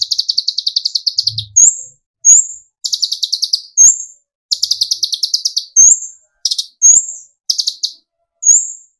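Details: Kolibri ninja, the olive-backed sunbird, singing to provoke others into song: repeated fast buzzy chip trills alternating with sharp upslurred whistles, steady and loud.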